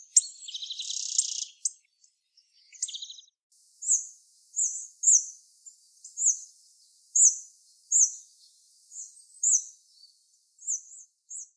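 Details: Hawfinch giving sharp, very high, clipped ticking calls, repeated irregularly about twice a second, after a brief opening burst of buzzy, rasping notes. The background is otherwise quiet.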